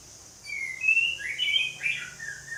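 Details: Ngeplong song of an orange-headed thrush, softer and a little distant, with a run of whistled notes sliding up and down over about two seconds against a faint steady hiss.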